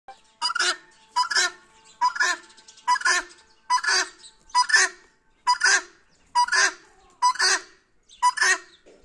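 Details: Grey francolin, known locally as teetar, calling in a loud, harsh repeated phrase, each burst a rasping double note rising in intensity, delivered steadily about once every second across the recording.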